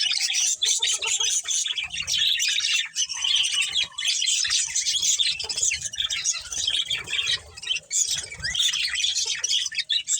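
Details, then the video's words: Breeding pair of budgies within a colony, steady busy chatter of high chirps and warbles overlapping throughout, barely pausing, with faint low thumps underneath. "Cute Budgies Chirping Sounds"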